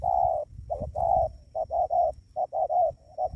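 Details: Spotted dove, a trained decoy bird, calling to lure wild doves closer: soft mid-pitched cooing notes in quick, uneven groups, short and longer coos mixed, over a low rumbling background.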